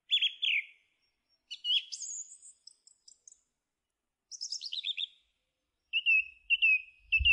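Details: Song thrush singing bright high phrases: a clear whistled note, a burst of twittering, a descending run of chirps, then a thin repeated warble, each phrase separated by short pauses.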